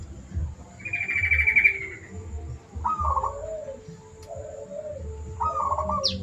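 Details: Zebra dove master recording for training birds: a high trilled note, then a pair of rolling, purring coos that step downward, repeated after a pause, over a strong low rumble and a constant thin high tone.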